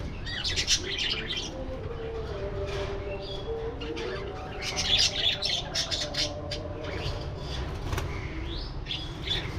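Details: Budgerigars chattering in an aviary while flying and playing: rapid, irregular high chirps and squeaky notes, several at once, with lower warbled tones beneath and a steady low hum.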